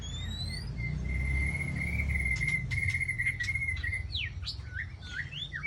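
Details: Aceh white-rumped shama lure recording from Ladong, Aceh Besar, for trapping. A long, steady, pure whistle is held for about three seconds. Quick rising and falling chirps follow. Low background noise runs underneath.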